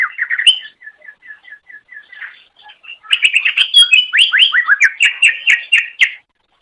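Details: Greater green leafbird (cucak ijo) master song for training songbirds: a quick opening trill, then a string of short even notes about four per second, breaking into dense, varied, rising and falling chattering phrases.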